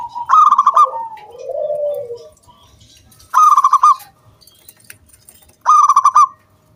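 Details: Zebra dove in 'kung bulat' crystal-voiced song used to prompt other doves to sing: three bursts of fast, stuttered bright notes, the first trailing into a soft falling coo, separated by quiet gaps.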